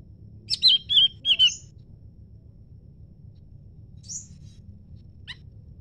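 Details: Leafbird answering a scarlet minivet with three strong, rapid, looping whistled phrases, then a thin high note and a short sharp chip after a quiet gap, over faint low rumble.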